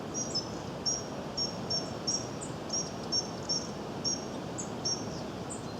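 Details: Goldcrest, a tiny bird filmed close up on 20 January 2016, giving very high, thin, sibilant notes in short bursts of two or three, repeated about every half second over a steady low background hiss.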